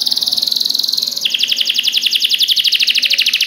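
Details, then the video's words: Canary song intended to train other canaries: a steady high rolling trill that drops abruptly to a lower, slightly slower pulsed trill, continuing evenly to the end. "MASTERAN KENARI GACOR !! DENGAR SUARA KENARI DI JAMIN KENARI ANDA NYAUT SEKETIKA || Voice of Canary"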